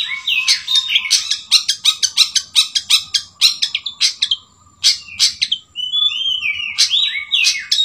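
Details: Long-tailed shrike, a clever singer filled with sooty-headed bulbul song: a rapid volley of harsh clicking notes, a brief pause, then clear, liquid whistled phrases sliding downward.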